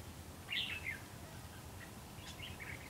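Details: Decoy red-whiskered bulbul singing a fighting song during trapping on 19 September 2016: a quick bright whistled phrase, then softer chirping notes a second and a half later, quiet against faint background noise.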